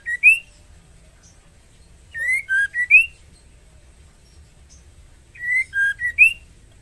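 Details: Female white-rumped shama in breeding condition calling the male to mate: high, clear whistled phrases of two to four rising and falling notes, repeated about every three seconds, over a low steady hum.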